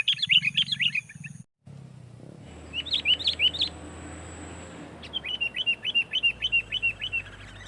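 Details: Sooty-headed bulbul in loud, dense song, used to press rivals and set other bulbuls singing: bright whistled notes, each rising then dipping, repeated in rapid bursts of about eight, with a low humming background and a short gap.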